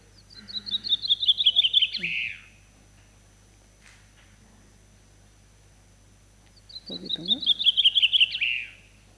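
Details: Gran Canaria blue chaffinch (Fringilla polatzeki) breeding-season song: two bright phrases of rapid notes running down the scale and ending in a short flourish, about four seconds apart, with a faint voice in the background.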